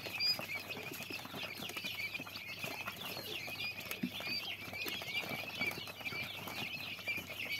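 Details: Young common quail chicks giving continuous high, thin cheeping in a busy overlapping chorus, with light scratching and pattering sounds throughout.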